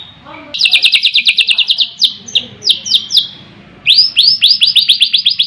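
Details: A long-tailed Medan white-rumped shama (Copsychus malabaricus) sings fast runs of about a dozen bright, slurred, down-sweeping whistles, then after a brief pause a second rapid run, over a faint low background hum.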